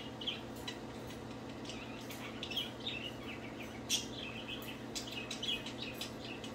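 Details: Playing budgerigars singing softly: quiet scattered twittering chirps and short warbled notes, a few sharper peaks, over a steady low hum.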